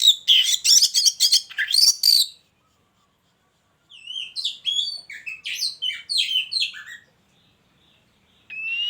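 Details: Caged white-rumped shama in a hanging cage placed beside a mating pair, singing rich, varied bursts of whistles and sharp chirps, a dense phrase for two seconds, a pause, then a three-second run of quick rising and falling notes.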